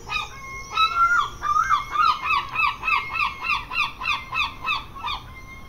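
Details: Gulls in an English seaside garden give a loud laughing series of strident, yelping notes, about three per second for over five seconds, each note sharply pulsed, with a faint thin whistle running alongside.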